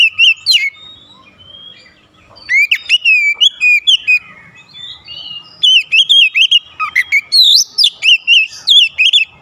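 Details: Oriental magpie-robin singing loudly to challenge a rival, which answers in kind, showing off its repertoire: rapid bursts of rich, slurred whistles and sharp chirps, a pause near the start, then dense runs of repeated whistled notes.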